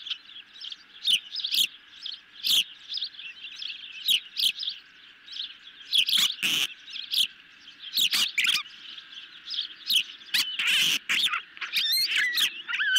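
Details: Hungry ospreys at a nest camera on a July evening in 2021, eating a medium-sized fish: scattered high, sharp chirps break through a steady hiss, mixed with brief clattering clicks and rustles.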